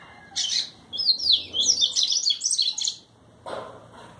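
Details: Double-collared seedeater from Brazil singing: a rapid burst of high, twittering, buzzy notes lasting about two seconds, followed by a short harsher note after a pause.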